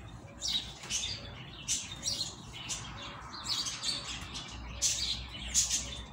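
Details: Rusty-collared seedeater of the tui tui style, a bird just coming out of moult, giving a song of short, bright chirped notes in clusters every second or so, with a low background hum.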